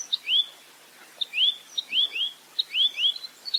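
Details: Velvet-fronted nuthatch in a clear 'full roll tembak' tutor recording used to train songbirds: sharp high ticks alternating with quick rising chirps, often in pairs, in bursts about a second apart, over faint background hiss.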